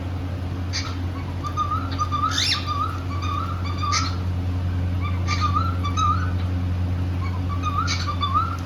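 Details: Pet cockatiels, a pair kept indoors, happy while singing and playing: short warbled whistle phrases that rise and fall, given in bursts a second or two apart, over a steady low room hum.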